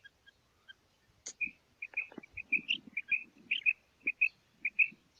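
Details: Call of a female common quail: clipped high double notes repeated quickly, with faint low rumbling and knocking underneath.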